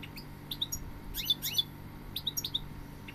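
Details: Goldfinch giving scattered bright chirps in small clusters, sharp high notes with quick downward and upward slurs, separated by short silences, over a faint low hum.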